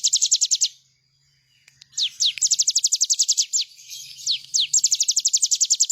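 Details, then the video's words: Bar-winged prinia song recorded as master material for songbirds: a quick high trill, a short hush, then long series of crisp descending notes at about four per second, with occasional lower swooping notes. "Ciblek gunung gacor full bren"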